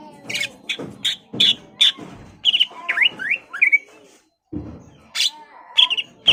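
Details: Greater green leafbird singing to incite a rival to display and fight: scattered bright whistles and quick upward-slurred notes, separated by dull low knocks and a short silent gap.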